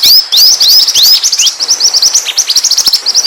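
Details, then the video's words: Pied triller song, used as a lure because it draws birds to approach: quick, high upward-sweeping whistles tumbling into rapid overlapping chirps, continuous and lively throughout. "SUARA PIKAT MASTERAN BURUNG MANTENAN GACOR"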